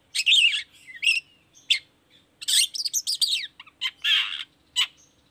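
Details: Long-tailed shrike singing vigorously in a lure recording used to make other shrikes answer and sing: a varied mix of harsh scratchy bursts, quick whistled slurs and sharp chattering notes with short gaps, over a quiet background.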